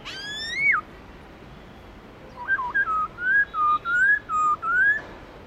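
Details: Black-throated laughingthrush giving a wild-style song: one strong upslurred whistle that drops sharply, silence, then a rapid string of about eight clear, slightly wavering whistled notes over a steady background hiss.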